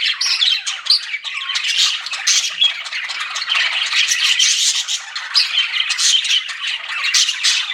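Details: Pet budgerigars said to be flirting keep up unbroken chatter: raspy warbling, thin squeaks and buzzy chirps overlapping, with occasional louder squawky bursts.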